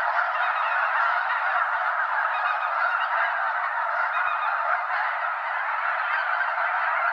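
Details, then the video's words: Flock of well over 200 snow geese circling in flight over Limestone Bay at Wheeler National Wildlife Refuge, North Alabama, before landing on the water; dense continuous chorus of overlapping nasal honks, steady and unbroken throughout. "Snow Geese Mega-flock Fly Arounds"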